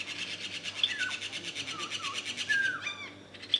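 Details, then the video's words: Common green magpie at Khao Yai National Park, Thailand: short downslurred whistles and a brief chattering burst over a steady rasping, pulsing background noise. "Common green magpie"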